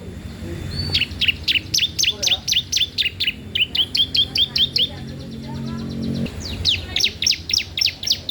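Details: Bar-winged prinia in vigorous song, meant for tutoring and luring young birds: long runs of rapid, high, clipped chirps, steady and loud, with a low background hum.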